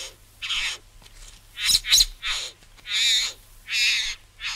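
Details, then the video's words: Satin Bowerbird from Australia making harsh wheezy hisses and churrs, with a couple of sharp clicking pops in the middle, in irregular bursts. "Satin Bower Bird"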